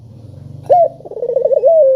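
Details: Spotted dove call, clear and sharp, used as a lure to get lazy doves calling: after a low hum, a single loud coo starts partway through, an upward-bent note followed by a wavering trill and a long, steady, slightly falling tone.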